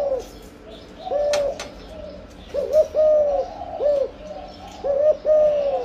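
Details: Breeding spotted dove cooing in the âm lối manner. Soft hollow notes come in pairs, a short rising coo then a longer falling one, with a few faint clicks early on.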